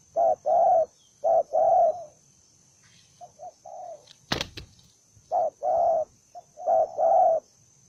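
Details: Aggressive spotted dove giving loud paired coos, a short note then a long hoot, broken by a quieter soft phrase and a sharp click in the middle before strong cooing resumes.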